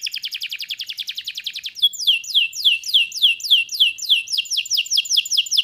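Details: Canary song that opens with a very fast, even trill, then changes to slower, sharply descending whistled sweeps repeated about three times per second.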